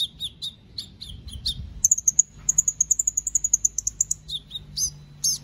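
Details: Kept white-rumped shama from Palu, Central Sulawesi, Indonesia, performing for an online bird-song competition. Quick chattering notes lead into a long, even trill of high whistles, followed by more varied sharp chirps.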